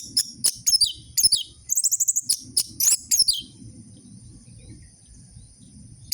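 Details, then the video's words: Orange-headed thrush with high chattering twitters and descending squeaky notes in quick bursts, used to prompt captive birds to sing; a low murmur of background noise runs underneath. "Pancingan burung anis merah macet dan malas bunyi"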